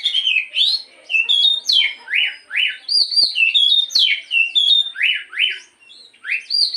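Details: Kacer, or Oriental magpie-robin, singing a morning lure song meant to make kept birds sing: a continuous string of sweet whistles, rising and falling slurs and buzzy notes, about two or three phrases each second.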